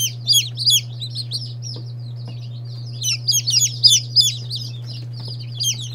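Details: Day-old chicks of several breeds, including Silkies, Seramas, Marans and Lavender Orpingtons, peep in bursts of quick high descending notes with short quiet spells between, over a continuous low hum.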